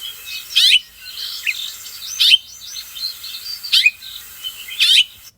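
House Finch call notes: four sharp, bright chirps spaced about a second or more apart, with softer high twittering between them.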